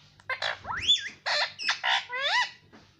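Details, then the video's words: Pet Indian ringneck parrot chattering indoors: noisy squawked syllables mixed with a sweeping rising whistle and a final harmonic rising-falling word, over faint low hum. "Talking Parrot"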